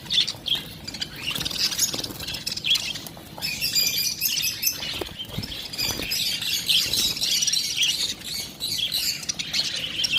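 Lovebirds chatter nonstop in shrill, high squawks and chirps, a busy overlapping flock noise with some wing flutters.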